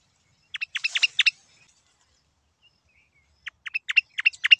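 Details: Yellow-eyed babblers calling at Silvassa, Dadra and Nagar Haveli, India: two quick bursts of bright, clipped chirping notes, about five to seven each, separated by nearly two seconds of silence.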